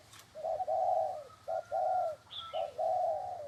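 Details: Leg-tethered spotted dove cooing intensely: three low, hollow phrases, each a short note followed by a longer sustained coo, about one phrase per second, with a brief higher chirp from another bird near the end.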